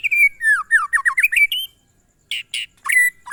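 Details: Monotonous glondong song of a white-rumped shama (murai batu): a string of descending whistled slurs repeated quickly then rising higher, followed after a short gap by a few harsh buzzy notes.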